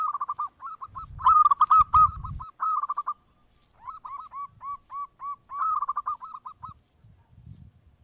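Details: Perkutut, the zebra dove, calling in a lure recording: long, nearly continuous series of rapid, clipped coo notes, loud and distorted at first, then softer evenly spaced coos, with faint low thumps at the end.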